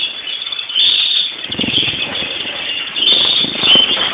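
A steady stream of high twittering and wheezy trills from greenfinches, running unbroken through the whole stretch, with low rumbling background noise underneath.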